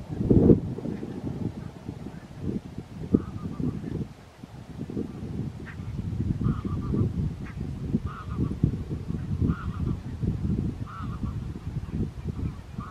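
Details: Barnacle geese recorded 4 November 2024 at Strijen in the Netherlands give a run of short, yapping calls about once a second in the second half, partly masked by a heavy low-frequency rumble.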